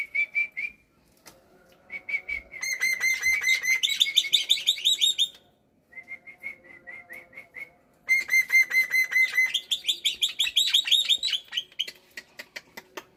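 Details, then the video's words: Black-winged myna kept at home, singing hard in the morning: two long bouts of quick, loud whistled notes that climb into bright, rippling high phrases, separated by softer evenly spaced whistles and brief pauses. "BURUNG JAPUT KU GACOR BANGET"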